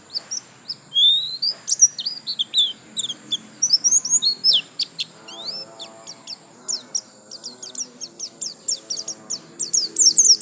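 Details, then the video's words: White-eye in lasroll gacor singing: long, busy stream of high twittering and swept chirps, varied at first, then a steady run of quick repeated notes, with faint low tonal hum underneath. "Pleci Gacor lasroll"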